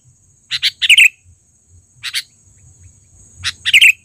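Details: Sooty-headed bulbul (kutilang) lure sound from a trained, loud bird: paired sharp chirps leading into quick bubbly warbles, twice, with a lone double chirp between and a thin constant high tone.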